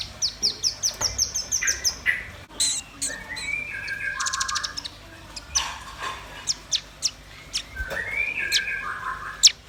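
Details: Red-billed nuthatch and white-rumped shama singing together: rapid, sharp high chips repeated in quick bursts, mixed with rich whistled phrases that slide and step between mid and high pitches, plus a few buzzy trills.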